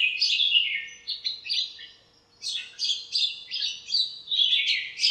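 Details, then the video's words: Birds chirping and squabbling in a backyard lemon tree on a sunny morning; a fast series of high, bright chirps, a brief silence, then another lively run of twitters. "chirps at morning | backyard bird sounds"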